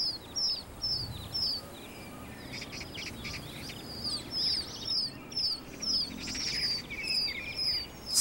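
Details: Newly hatched Common Pheasant chicks that fell into a drainage ditch in a garden in Korea, calling while the alert mother tries to lead them out of a magpie's territory: thin, high peeps about twice a second over soft hiss.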